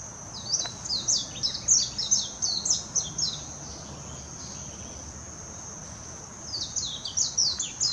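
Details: Warbling white-eye singing in Hashimoto, Wakayama Prefecture, on 26 June 2021: two bursts of high, rapid twittering warble separated by a few seconds of quiet hiss.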